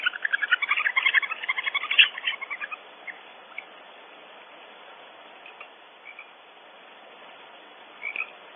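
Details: Several barn owls cleaking at their nest cavity on Audubon Starr Ranch, California, as an intruder appears: a dense, fast chatter of short grating notes for under three seconds, then scattered single calls amid quiet background hiss.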